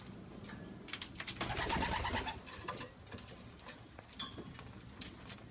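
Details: Racing pigeons in a loft in Oradea, 29 March 2015, with chicks 1-2 days old, give soft, low cooing notes amid rustling and wing shuffles indoors.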